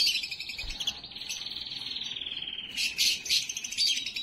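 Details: Canary singing to stimulate and prepare females for breeding: a long, fast, even trill slowly sliding down in pitch for about two seconds, then loud rattling bursts of high, buzzy notes.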